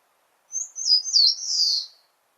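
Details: Eastern crowned warbler, a common summer visitor breeding in Korea, sings one thin, very high phrase of about a second and a half: quick slurred notes running into a buzzy, wavering ending. No other sounds.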